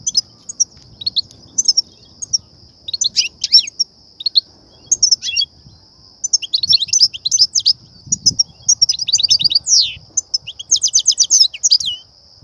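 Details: Goldfinch song of the batbata and satsata kind, used by trappers to rouse and lure goldfinches: lively, near-continuous twittering with buzzy trills and slurred notes that builds into dense rapid bursts near the end.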